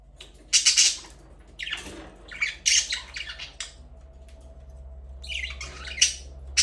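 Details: Budgerigars in an aviary where breeding has started and a first chick has hatched: harsh, buzzy squawks in separate bursts about a second apart, with quieter scratchy chatter between them in an indoor setting.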